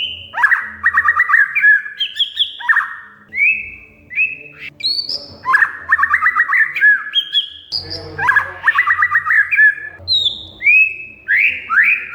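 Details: Oriental magpie-robin (kacer) lure song to stimulate a silent bird: energetic phrases mixing sharp rattling trills, chattering notes and high rising whistles, repeated with brief gaps throughout.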